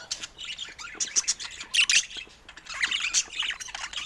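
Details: Mature pet budgies indoors in a lively group chorus: dense scratchy warbling and bright high chirps, with two loud squawk bursts near the middle, then steady chattering resumes.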